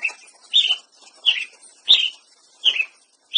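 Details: Song of the Ruby-crowned Tanager: about six crisp, downslurred chirps delivered every half second or so over a soft hissy backdrop.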